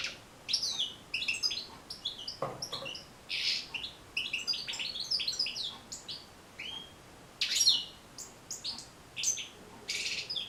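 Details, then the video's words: European goldfinch singing, a recording meant to help goldfinches learn songs and sing more: continuous fast, high twittering with buzzy trills and sharp, clear notes in lively bursts, with brief gaps throughout. "بتبتة جد مهمة لتحفيظ و تحفيز طيور الحسون على التغريذ"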